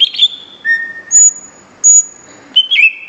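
Greater green leafbird sings clear, high, level whistles, some held and some sliding, with short buzzy chattering notes at the start and end.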